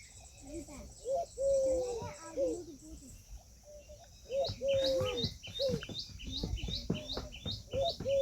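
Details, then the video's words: Peahen, female Indian peafowl: loud clear calls, each a steady or gently arched mid-pitched tone with rich overtones, some short, some drawn out, in two bursts; continuous fast high chirping from small birds repeats behind them. "Peahen bird the Indian peacock/most clear sound"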